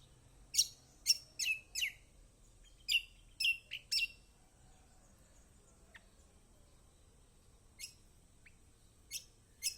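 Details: Kecial kombok, a yellow bird kept by hobbyists, singing to lure silent birds: a string of sharp high downslurred chirps in quick groups, then sparse single notes after a pause.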